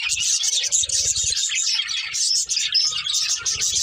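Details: Breeding pair of budgerigars chirping: dense, continuous high twittering and warbling chatter with scattered brief whistled notes, occasional soft low thumps beneath.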